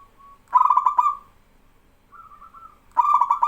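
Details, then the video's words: Local male zebra dove in vigorous song, drawing replies from other doves. Two loud stuttering coo bursts framing a quieter, level, trilled coo between them. "BURUNG PERKUTUT LOKAL JANTAN GACOR BIKIN PERKUTUT BAHAN IKUTAN BERSUARA"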